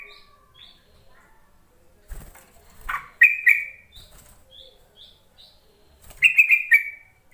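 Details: Yellow-vented bulbul lure call for coaxing quiet, newly caught bulbuls to sing: soft high chips, a few sharp notes, then two lively bubbling bursts a few seconds apart, each ending in a brief buzz.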